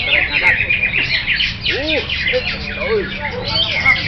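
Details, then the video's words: Greater green leafbird (cucak hijau) in full song: a dense, rapid stream of high twitters and chattering notes, with a few lower arched whistles breaking through; human voices faintly behind. "AKSI CUCAK HIJAU"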